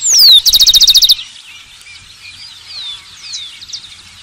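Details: Rufous-collared sparrow singing loudly: one long descending whistle runs into a rapid, evenly spaced trill lasting under a second. Softer twittering from many other birds continues afterward.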